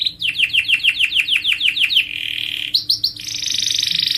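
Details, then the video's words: Canary song intended to set other birds singing: a long chain of evenly repeated falling whistles, a short buzzy roll, a few rising notes, then a sustained high rattling trill. "صوت عصفور الكناري يحفز طيورك على الغناء"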